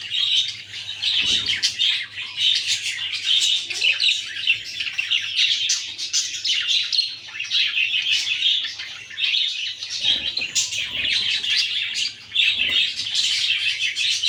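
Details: Budgerigars with their babies chatter continuously in busy, scratchy high-pitched chirps and warbles.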